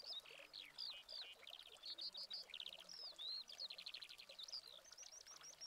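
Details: A Eurasian skylark in Spain in August 2020 pours out a continuous high, rapid song of chirps, trills and slurred whistles with no pauses.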